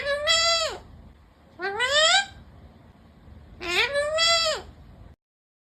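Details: Green parrot, described as talking nonstop, uttering three bleating, upswept cries about two seconds apart, each rising then dropping sharply at the end, with near silence between them.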